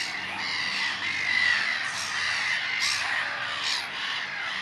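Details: Black-headed gulls in a very noisy colony at the lagoon on Brownsea Island in the evening, with terns and shelducks nearby: a dense, unbroken chorus of harsh, overlapping squawks with no single voice standing out.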